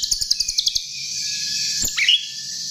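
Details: Chestnut-tailed starling lure recording opening with a fast run of sharp repeated ticks, then a sustained high buzzy warble and a rising squeaky phrase.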